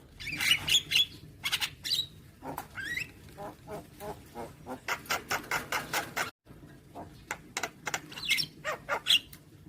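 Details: Javan myna song from a training recording for young birds, played every morning: quick series of dry clicking pulses broken by short high whistles and a harsh chatter, with a brief gap near the end.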